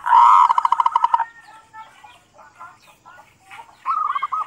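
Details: Local zebra dove song meant to stimulate other doves: an opening loud, fast run of pulsed coos, a stretch of faint scattered notes, then another rapid trilled phrase at the end.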